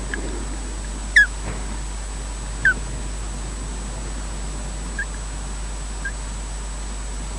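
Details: At the Loch Garten nest in Scotland an osprey chirps during a slow changeover with its mate: two clear, sharply falling chirps followed by two softer, fainter ones, over low background noise.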